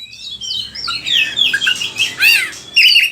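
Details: Oriental magpie-robin singing a lure song for other birds: a dense, hurried jumble of slurred whistles and harsher rasping notes, loud and continuous.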